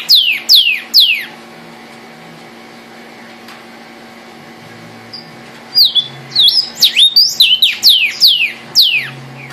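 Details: Red cardinal gives three loud downslurred whistles, falls silent for several seconds, then delivers a rapid series of about ten clear whistled notes sweeping downward.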